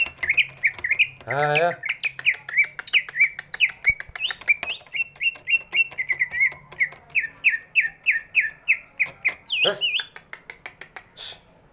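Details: Greater green leafbird with a big body, singing to stir quiet birds into song: long run of rhythmic, slurred whistled notes, roughly 97 per minute, ending with a harsh rasp, low hum present.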